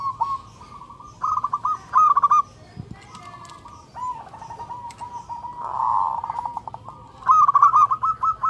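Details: Loud local zebra dove (perkutut) song while seeking a mate: short staccato coo bursts, a drawn-out trilled phrase, then a fast run of clipped repeated notes, with faint clicks between.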